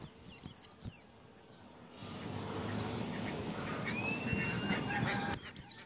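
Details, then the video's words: Ngalas-style white-eye song used to lure other white-eyes into singing. A burst of sharp, high, descending whistles opens the passage and a short pair closes it, with noisy rustling and a faint rising tone between them. "PLECI BUKA PARUH ngalas 1,2,3"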